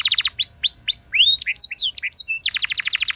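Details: Lively canary song used to prompt other canaries: a short trill, sweeping upward whistles, quick varied chirps, then a rapid trill of repeated notes.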